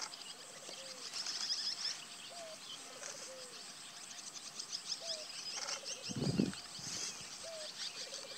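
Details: Scissor-tailed kites coming in to roost on Kousmar Island, Senegal, in January 2023, give a busy chorus of thin, high chirps and squeaks with short lower slurred notes repeating; a brief rumbling thump midway.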